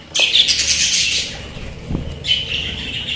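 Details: Pet budgerigar giving a long, harsh, scratchy squawk that lasts about a second, then a short pause and a second rasping burst, with a low thump between them.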